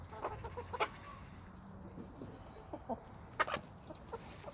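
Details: Chickens and roosters of a suburban homestead flock: short, sharp clucks scattered irregularly through the clip, a few louder ones, over a low background murmur.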